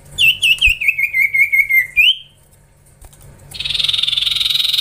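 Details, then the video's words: Young common iora under training: a rapid series of pulsed whistles gliding slowly downward, ending in a short rising note, then after a pause a loud steady rushing hiss. "Gacorrr ngelatih cipow cipoh anakan"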